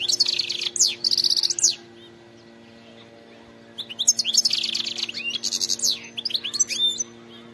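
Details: Wild European goldfinch calling: two bursts of rapid, high twittering with buzzy trilled phrases and liquid chips, separated by a silent pause of about two seconds, over a faint steady hum.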